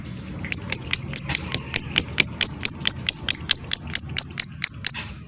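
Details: Lovebird giving the 'ngetik' typing-style song, used as a lure to set other lovebirds singing and ready to mate: about twenty sharp, high, clicking notes, evenly spaced at roughly four per second, on a quiet background.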